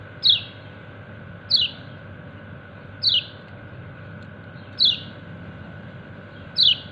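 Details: Five crisp falling "ciak" chirps, spaced one and a half to two seconds apart, from a kecial kuning white-eye summoning its companions; low background hum.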